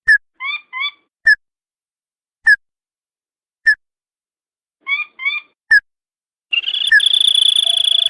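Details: Tututan, a bird also called tikusan or sintar padi, in a recording used as a lure to draw answers from wild birds: clean short whistled notes with paired chirps at irregular intervals, then a sustained buzzy tone at the end.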